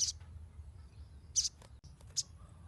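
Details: Three sharp, very high chirps from a Ruby-cheeked sunbird, used to lure untrained birds into singing, spaced about a second apart over low background noise.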